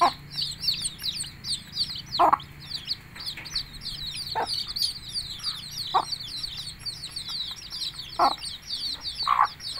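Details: Hen chicken calling her chicks to eat: low, short clucks repeated every one to two seconds over a constant stream of high, thin, downslurred chick peeps.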